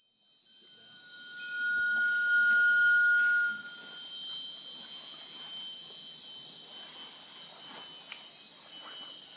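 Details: A Malaysian Rail-babbler in the rainforest understory gives one long, thin, ethereal whistle lasting about three seconds, over dense high-pitched buzzing of rainforest insects.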